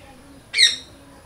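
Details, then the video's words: One short, grating parrot squawk, loud and abrupt, with no other calls around it. "Loud Parrot Chirping Natural Parrot Sounds Parrot Calling Sounds"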